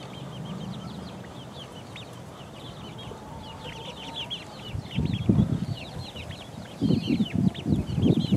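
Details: Four-week-old chicken chicks pecking around, giving a steady stream of short high peeps in quick succession, with low thumping and scratching noises growing louder in the second half.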